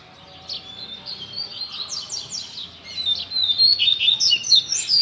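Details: Tutor song of a Rusty-collared seedeater for young birds to learn, starting softly then growing louder into rapid high whistled and trilled phrases with sharp slurred notes, faint low hum beneath.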